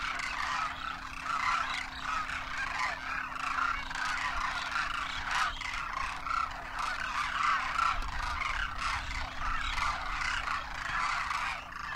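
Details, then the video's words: Demoiselle cranes in a huge wild winter flock over Rajasthan, India, juveniles on their first winter with adults, calling as they take off. Many overlapping trumpeting calls merge into a steady, noisy cacophony throughout. "Demoiselle Cranes darken the sky, trumpeting in flight"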